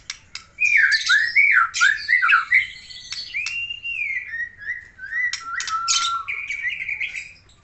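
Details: Song of a white-rumped shama from Aceh: fast warbled slurs giving way to long, clear, drawn-out whistles, some steady and some gently falling, with a few sharp clicks.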